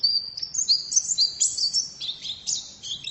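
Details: Female white-eye (pleci) singing a fast, high twittering song of thin, sweet whistled notes, rising and falling in quick slurs with brief breaks, over a quiet background.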